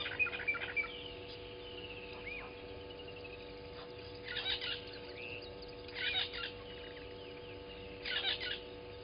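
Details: Newly arrived southern masked weavers at Gowrie dam waterhole, Djuma Game Reserve, Sabi Sand, South Africa, at 07:30 on 12/06/20, give short bursts of buzzy, sizzling chatter about every two seconds over a steady electrical hum.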